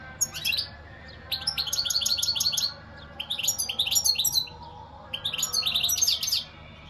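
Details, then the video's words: Goldfinch singing four lively phrases of rapid, liquid twittering notes, each burst lasting about a second and separated by brief pauses, with a quiet background hum. "اقوا واجمل تغريد حسون"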